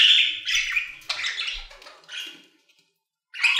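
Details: Budgerigars singing in an aviary: scratchy warbling chirps and squawks that fade to near silence, then a sharp burst of chatter returns at the end.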